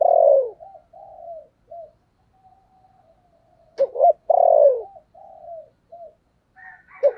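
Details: Two loud, downward-sliding coos from a spotted dove of the 'thổ sấm' type ('thúc' and calling), each followed by softer short hoots. A brief rough burst comes between them, and another dove's notes are heard at the end.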